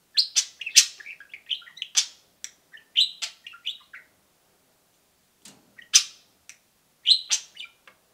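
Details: Two pet budgerigars peeping and cheeping; a burst of rapid, harsh chirps and warbled notes for four seconds, a pause, then a few scattered loud cheeps.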